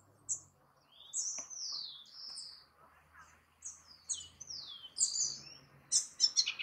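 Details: House wren singing at El Retiro, Antioquia, Colombia, on 30 June 2021, recorded with a Nikon P900 camera. It gives high, sweet whistled phrases that slide downward, with quick chattering notes, in bursts separated by short pauses over a faint low hum.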